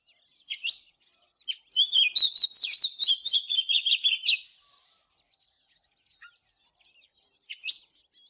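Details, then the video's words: Oriental magpie-robin, a bird trained to sing, in morning song: a few scattered chips, then a fast run of varied whistled and chattering notes for about three seconds, followed by quiet and a last short whistled burst. "เสียงนกกางเขนบ้านหรือนกบินหลาขี้ควายใต้ Chòe than HÓT SÁNG"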